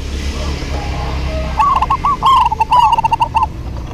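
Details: A local zebra dove duet: after a quiet start, a burst of fast, rippling coo notes runs for about two seconds, overlapping phrases suggesting two birds, with faint clicks behind.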